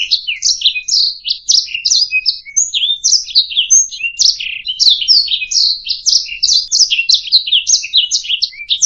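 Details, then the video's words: Singing canary, a tutor recording for teaching other cage birds, delivering a fast unbroken chatter of high trills, buzzy notes and brief clear whistles, rolling on steadily with fluctuating loudness and a clean background. "SUARA MASTERAN - Ocehan Burung Kenari"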